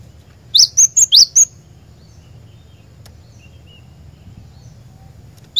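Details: Cinereous tit (glatik batu) song played to lure a caged bird into singing: a short burst of four sharp, high, rising whistled notes, then quiet with a low hum, and one more note at the very end.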